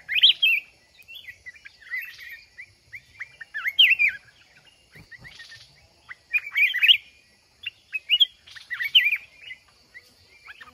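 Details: Wild mountain red-whiskered bulbul in a fighting contest while being trapped with a decoy kept caged for one month. Bursts of bright warbled and slurred whistles alternate with short pauses, some notes rising sharply, plus a brief rustling burst midway.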